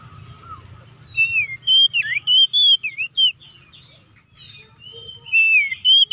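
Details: Oriental magpie-robin singing to provoke rival magpie-robins: a fast burst of sweet whistles and bent notes, a quiet pause, then another run of clear whistles; faint low hum beneath.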